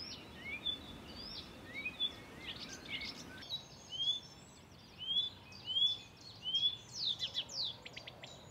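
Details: Blyth's reed warbler at Far Ings Nature Reserve, UK, 11 June 2020, imitating other birds' songs and calls. Upslurred whistles come first, then denser bursts of clicks and ringing notes build toward the end.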